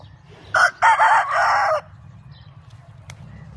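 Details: Rooster crowing once, a loud harsh multi-part cock-a-doodle-doo of about one and a quarter seconds, starting with short choppy bursts and ending in a long held note, over a low steady background hum.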